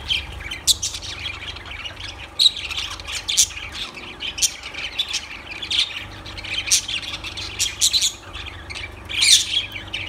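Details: Shrill, scratchy lovebird squawks come in uneven bursts over ten seconds, some notes piercing and loud, others softer chatter in between, over a faint low hum.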